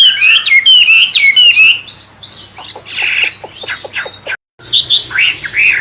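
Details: Wambe bird with magpie-robin-like song, used as a lure for training caged songbirds: loud rapid whistled phrases, then a series of short sharp descending clicks and ticks, a brief silent break, and more bright whistling.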